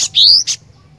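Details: Short excerpt of cinereous tit song: a high chip, a loud whistle climbing steadily in pitch, then another chip, followed by silence.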